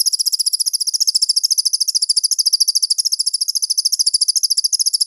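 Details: Crested jay song used as a master recording for training songbirds: a fast, high-pitched buzzy rattle of regular pulses continues without a break, with a couple of soft low knocks.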